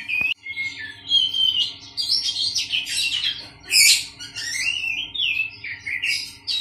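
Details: Caged Oriental magpie-robin placed in a bird colony to steady its temperament: a continuous jumble of sweet whistles, rising slurs and scratchy high notes with brief pauses, over a constant low electrical hum.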